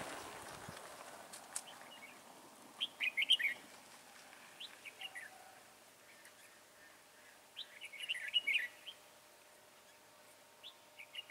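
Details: Red-whiskered bulbul trapping with a decoy bird, 22 January 2018: two bursts of bright warbled whistling several seconds apart, with rustling and handling noise at the start and faint chirps between.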